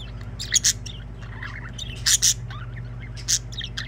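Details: Budgerigars singing: sharp, bright chirps and harsh squawk bursts near 0.6, 2.1 and 3.3 seconds, with softer chattering warble between them, over a steady low electrical hum.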